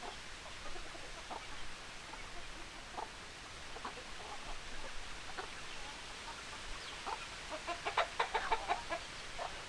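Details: Farm chickens, hens and roosters: scattered quiet clucks, then a quick run of short, sharp clucks near the end, over steady background hiss.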